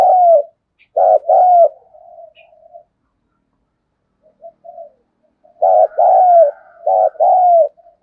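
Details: Spotted dove used as a decoy, calling in the thúc, gù and gáy gọi styles. Two short-long coo pairs open the recording, followed by soft low murmurs and a pause. Two more pairs, each ending in a falling note, close it. No other sounds are heard.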